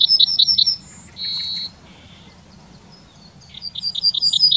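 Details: Yellowhammer song from the town of Wittlich, 2019: a fast chain of high notes, a held long note, then a briefer lower one, followed by a fresh rapid series of notes.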